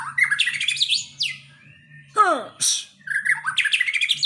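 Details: White-rumped shama of the Aceh type showing off its filled-in repertoire (bongkar isian): quick whistled phrases, steep falling sweeps and buzzy bursts separated by short pauses, over a steady low indoor hum.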